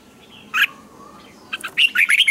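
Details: Red-whiskered bulbul in morning song used to train other birds: a single sharp note, a pause, then a quick run of bright, twisting whistled notes climbing in pitch.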